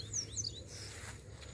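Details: A Double-collared Seedeater singing well at about 9 in the morning gives a quick run of high, sweet whistled notes, some sliding down, then falls quiet over a low background hum.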